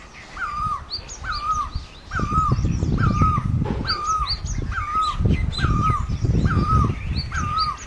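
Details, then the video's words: Great barbet in Asia calling nine times in steady rhythm, each note rising then falling, while other birds add short high upslurred chirps and low rumbling noise fills the background. "Great Barbet, นกตั้งล้อ, Pehˇ oˍ, Piˇ oˍ loeˇ, Pi luˇ ma"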